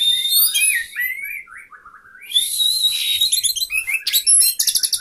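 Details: Orange-headed thrush singing in sapu jagat style while spreading its tail: loud, varied whistled phrases rising and falling, then dense rapid trills and sharp high buzzy notes, nearly continuous.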